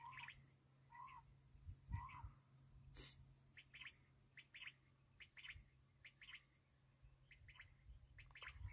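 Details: Black francolin (kala teetar) calling, linked to quail hunting: harsh, grating phrases of short buzzy notes, some paired, repeated through the recording over a steady low hum and faint background noise.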